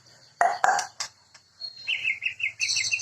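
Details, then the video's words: A white-rumped shama (murai) gives a few harsh, clicking notes, then a fast run of bright, chattering phrases with high ringing overtones. "Sound Of Murai Bird"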